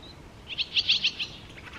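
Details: A rapid string of about six sharp, high chirps from a barn swallow on the Tama River, delivered within under a second, with only soft background noise.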